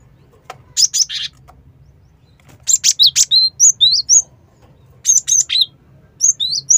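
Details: Cinereous tit, recorded to lure other birds, delivering rapid high chirps followed by a string of rising whistled notes and further short bursts, busy and repeated throughout, over a low steady hum.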